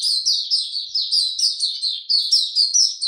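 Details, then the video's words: White-eye singing on 26 March 2022 in warm, very humid weather: clean, loud series of quick descending high chirps repeated in close succession with no other sounds. "Mata Puteh Hercules buka sing warm n very humid weather"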